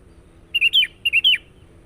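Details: Sooty-headed bulbul in persistent song used for luring wild birds: two clear liquid whistled phrases, each a quick rising then falling warble, about half a second apart, against a quiet background.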